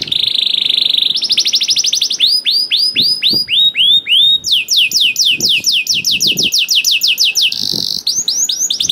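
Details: Canary song used to provoke other canaries into singing: a loud, continuous run of tours, with a buzzy trill, rapid falling sweeps, slower looping whistled notes and fast descending rolls, each phrase held one to two seconds.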